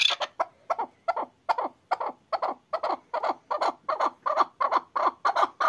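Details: Excited hunting chukar partridge calling: evenly paced, rough clucks about two and a half per second, building in loudness and harshness as the series goes on.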